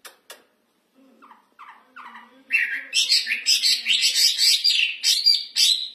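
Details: Hwamei (wambi) in full, loud song: a few sharp clicks and soft low notes lead into a dense, rich stream of varied, ringing whistled and chattering phrases that carries on without pause for over three seconds.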